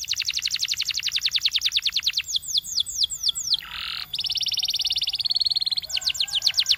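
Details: Training song from a Belgian canary: a long rapid rolling trill, a few slower sweeping notes, a brief harsh burst, then a buzzy steady trill and more fast notes.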